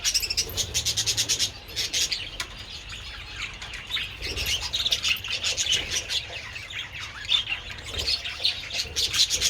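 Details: Several budgerigars feeding on treats in the sun on 27 February, producing pulsed rattling chirps at the start, then a continuous jumble of squeaky warbles and sharp tweets.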